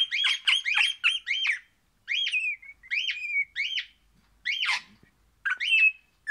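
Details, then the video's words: Happy singing from an orange crimson rosella: a fast run of sharp, ringing whistled notes, then slower separate notes, each a quick upward flick that slides into a steady whistle. There are short silences between groups. "Pennant Orange happy singing Parrot"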